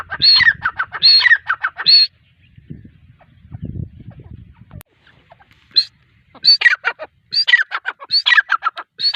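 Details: Grey francolin, female, uttering clusters of harsh squealing and clipped notes, broken by a quieter stretch of low rumbling noise and a click before the calling resumes in repeated phrases.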